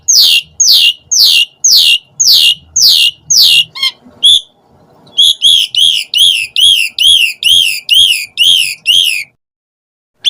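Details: Asian pied starling call used as a lure for starlings: a run of steep descending whistled notes, a short pause, then loud arched whistles repeated about twice a second.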